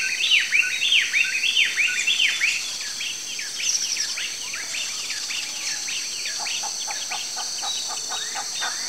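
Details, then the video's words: Southern fork-tailed flycatcher (Tyrannus savana) calling: a fast, sputtering chatter of sharp downward-sweeping notes, about one or two per second, loud at first then softer, over a constant high insect drone. "PÁSSARO TESOURINHA (TYRANNUS SAVANA), SOUTHERN FORK-TAILED FLYCATCHER, TESOURA, TESOURINHA-DO-CAMPO."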